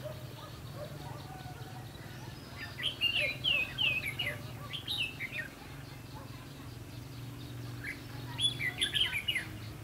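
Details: Red-whiskered bulbul at a trapping site on 22 October 2016. Two clusters of quick warbling whistles, rising and falling, are separated by a quiet gap, over a constant low droning background.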